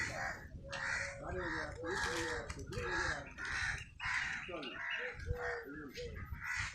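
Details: Crow calling as it eats, a squirrel also in the scene; a long series of rough, hoarse caws repeated in quick succession throughout, over soft low background hum.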